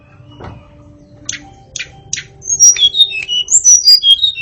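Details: Caged white-rumped shama singing to tutor junior birds: after quiet clicks and a low hum, a run of loud, clear whistled notes begins, jumping between high and mid pitches in quick succession.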